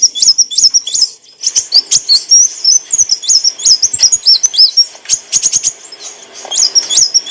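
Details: Olive-backed sunbird, known locally as kolibri wulung, singing as clear training material for cage birds: rapid, high, thin chirps and hooked whistled notes, jumbled and repeated, with a brief pause just after one second and occasional faint clicks.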